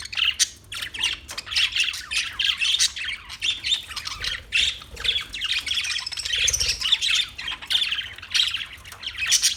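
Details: Parakeet in steady, busy chatter, a dense stream of squawky and twittering notes with hardly any pause.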